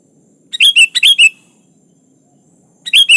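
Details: Kutilang, the sooty-headed bulbul, singing gacor style to call an opponent; a quick run of five liquid, bubbling notes with sharp up-flicks, then silence before another phrase begins.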